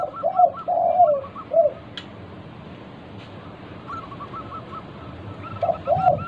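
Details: Local zebra dove song used to prompt other doves to sing: deeper slurred coos mixed with short hooked notes at the start and end, a quieter run of hooked notes in between.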